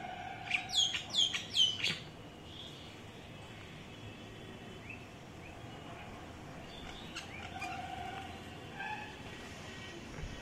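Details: Common myna, known locally as shalik, perched on a coconut tree: a quick run of four harsh, descending notes in the first two seconds, then steady background hiss with faint distant chirps.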